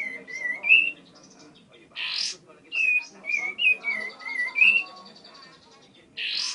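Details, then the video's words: Bar-winged prinia, a tame bird in full song, giving series of short whistled slurred notes in bursts of three to five, separated by two brief loud rushing noise bursts. "Burung Ciblek Gacor Jinak"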